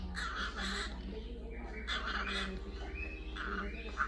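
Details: Orange-fronted parakeet kept indoors, watching online videos, giving harsh, buzzy screeching calls in bursts of about half a second, repeated four times, over a steady low electrical hum.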